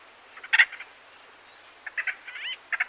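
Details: Medium-close recording of 12–15 White-fronted bee-eaters, some perched by nest holes, trading short, rolling, burry calls in scattered overlapping bursts, one giving a slurred rising-and-falling note; otherwise quiet.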